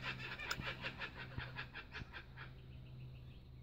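Kookaburra giving a rapid run of harsh, cackling notes, about six a second, trailing off; a low steady hum and a few knocks sit underneath.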